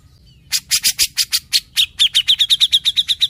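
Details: Cucak jenggot, the grey-cheeked bulbul, in lively song: loud harsh chattering bursts repeated about twice a second, speeding into a quick regular string of sharp high notes.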